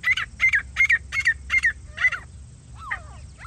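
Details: Jungli teetar (grey francolin) heard while hunting: six scratchy, rhythmic notes about three per second, then a softer swooping call sliding downward near the end.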